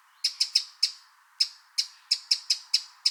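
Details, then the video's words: Eurasian wren in the wild uttering crisp, high clicking tacks, a few scattered notes, then a tighter run of evenly spaced ticks; the background is otherwise silent. "Eurasian Wren Sound – Song & Bird Calls"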